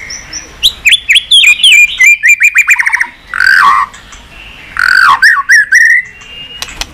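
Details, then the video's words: White-rumped shama singing a varied song to stimulate and train birds. Rapid strings of sharp, downward-flicked whistles lead into rich, lower warbled phrases, repeated in two loud bursts with a few faint clicks after. "Chòe Lửa Hót Nhiều Giọng, Luyện Chòe Lửa Hót Căng"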